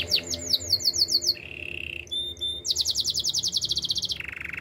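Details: Master canary singing for training other canaries: high, fast trills and rolls, a steady buzzy tour near mid-high pitch, then quick repeated chips at roughly three and a half per second, ending in another flat rolling trill.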